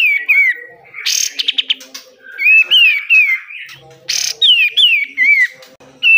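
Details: Pied triller singing energetically, recorded for training caged birds: falling whistles, a harsh rattling burst breaking into quick buzzy pulses, more wavering downslurred whistles, another rough burst, and a closing whistled series.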